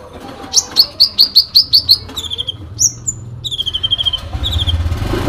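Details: Fighting song of a sooty-headed bulbul, full of fill phrases. Eight loud, evenly spaced high chirps open the passage, followed by quick descending whistles and then a longer run of softer, level, rapidly repeated notes.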